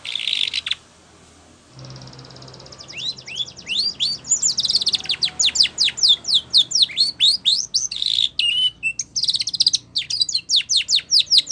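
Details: Spanish Timbrado canary song for training, opening with a short buzzy burst, a pause of faint hiss, then rising whistles, sweeping repeated notes and a dense trill; somewhat noisy background.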